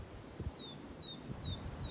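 A willow tit sings a series of clear, descending piped notes, about two per second, over low rumbling background noise.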